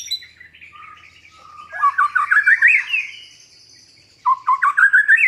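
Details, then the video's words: Newly kept white-rumped shama used to stir a silent bird into singing: soft faint warbles, then a loud fast series of rising whistled slurs, a pause, and another rapid run of bright upward-sweeping notes. "MURAI BATU GACORAN pancingan burung macet"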